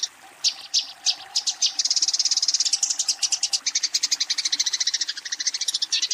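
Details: Eurasian tree sparrow calling a rival while fighting. A few scattered chirps open before the bird launches into fast, sustained chattering of shrill, clipped notes.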